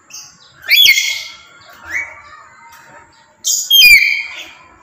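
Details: Piercing calls from a tame black-capped lory: a loud shriek, a softer rising call, then a pair of strident screeches close together, each sharp with bright overtones.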